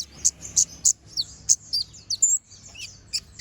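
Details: Konin, the brown-throated sunbird, in continuous ngobra singing with sharp shot notes, recorded as a tutor for other birds: about twelve shrill chips and twisting high whistles over three seconds, irregular rhythm.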